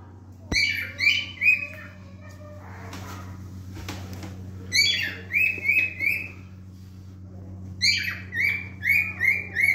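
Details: Male cockatiel song: a few sliding whistles, then a noisy stretch with clicks and rustling, followed by runs of clear repeated whistled notes about three per second with buzzy harmonics, over a constant low electrical hum.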